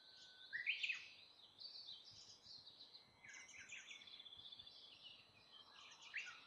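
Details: Brown-eared bulbul feeding on fruit utters sharp, squeaky rising notes early on, then rougher chattering calls and a final sharp squeak, over faint background chirps.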